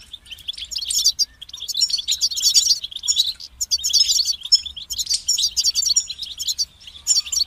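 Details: Sustained goldfinch song, an unbroken stream of rapid twitters, liquid notes and dry buzzy trills running steadily for several seconds in a quiet setting.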